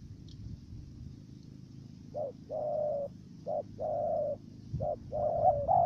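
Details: Trapping decoy dove in Cà Mau, Vietnam, beginning its stuttering coo after a noisy pause: three short-then-long coo pairs over steady low rumble.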